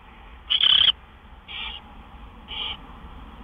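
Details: Owl at the nest, recorded around midnight on March 26, 2013, during gopher prey deliveries: one loud, harsh, hissing burst, then two fainter, shorter rasping notes about a second apart, over a low steady hum.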